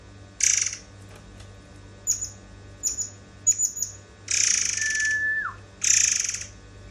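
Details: White-browed fantail song used as a tutor recording for training other songbirds: harsh buzzy bursts alternate with sharp high chirps and one long steady whistle that drops abruptly at the end, against a low steady hum.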